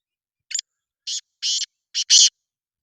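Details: Black francolin call: five rasping, buzzy notes in under two seconds, starting with a short clipped note and ending on the longest and loudest, against a quiet background.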